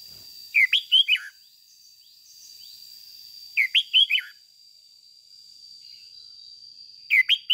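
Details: Red-whiskered bulbul used as a lure bird, singing an excited 'ché' style song to rouse other bulbuls: short bursts of four or five clear, bright warbled notes, repeated every three seconds or so, over a steady thin high whine.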